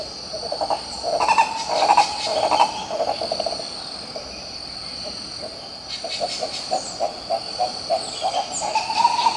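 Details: Coró-coró, the green ibis, recorded in Pirenópolis, Goiás state, Brazil, giving bursts of rapid, throaty pulsed notes, a pause, then renewed rolling phrases, with a constant shrill insect hum and scattered higher chirps.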